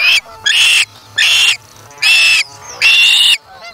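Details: On August 3, 2017, an osprey chick at the nest takes a fish from its parent and feeds itself, giving four loud, strained, whistling cries, each about half a second long, separated by short pauses.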